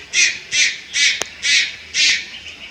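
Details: Juvenile Malayan night heron recorded at Lugu on 30 July 2022, giving five harsh, raspy, hissing bursts, each about a quarter second long, repeated roughly every half second with a short click between them.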